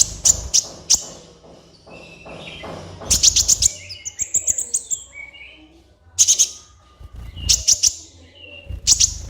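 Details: Energetic sunbird (kolibri ninja) song for training caged birds, made of clusters of piercing high notes and rapid ticking bursts with softer descending twitters in the gaps, over a steady low hum.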